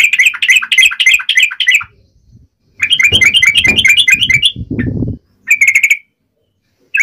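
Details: Fighting song of a yellow-vented bulbul, tarung ngalas style, played so that other bulbuls respond: quick, scratchy chattering phrases, a gap, more chatter over low rumble, then a brief burst.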